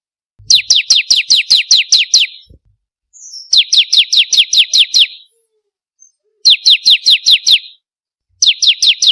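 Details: Bar-winged prinia song recording meant for luring or training birds, four evenly paced bursts of quick, sharp falling chirps, each burst lasting about two seconds, with silence between.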